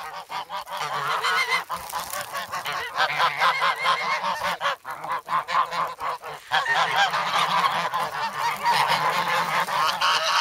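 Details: Noisy, hungry geese grown from goslings, filmed in snow at Sloterpark, Amsterdam, on 3 February with a Sanyo camera; many rough honks tumble over each other, roughly two per second, forming an unbroken clamor.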